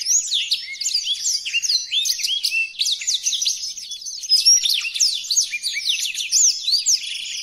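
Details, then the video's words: Blackthroat song for tutoring caged birds: a continuous high-pitched chatter of quick rising and falling twitters. Short harsh ticks and trilled bursts are woven through, and the song keeps an even, lively pace throughout. "Burung Blackthroat Original untuk Pemasteran"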